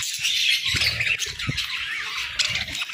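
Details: A group of budgerigars chirping together in the morning: a dense, continuous wash of overlapping warbles, squeaks and chatter with no pauses, and a few soft low thumps underneath.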